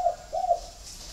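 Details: Spotted doves from a kept flock at a bird farm in Ba Vì, Hanoi, Vietnam. Two short, mellow coo notes follow each other about a third of a second apart. Faint indoor room noise is in the background.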